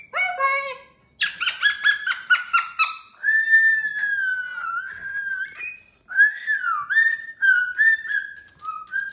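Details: Pet cockatoo playing on a TV stand with a mirror, giggling in a quick run of harmonic chuckles, then drawn-out wavering whistled notes that rise and fall; music and human laughter in the background.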